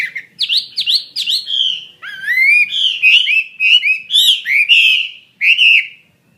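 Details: Fighting-type Chinese hwamei (họa mi chiến), a bird kept for sale, delivering loud, clear whistled song: quick rising-falling slurs repeated three times, then a string of sweeping, rolling phrases with short pauses, ending in one more bright slur.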